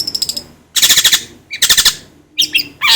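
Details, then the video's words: Long-tailed shrike song used as a lure to get another bird singing: loud bursts of rapid, harsh, rattling notes in clusters, broken by short pauses, with a higher scratchy phrase near the end. "PANCINGAN CENDET AGAR CEPAT gacor"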